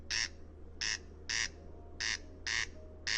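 A Corncrake gives dry, rasping, wooden-sounding crex notes, about six in three seconds at a steady clip, over a faint low hum.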